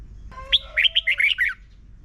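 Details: Single Red-whiskered bulbul phrase from a Thai morning recording for teaching young birds: a brief run of about six quick, bubbly, slurred whistles lasting roughly one second, over a faint lower steady tone.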